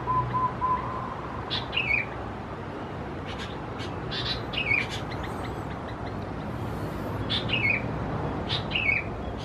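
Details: Sooty-headed Bulbul chicks, subspecies thais, at a house in Khao Yoi, Phetchaburi, Thailand, mid-June 2020: short harsh descending chirps repeated irregularly, with a brief low whistled note at the start and faint other chirps.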